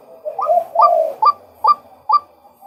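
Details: Male white-breasted waterhen: two longer, wavering slurred notes run together, then three separate short rising notes about half a second apart.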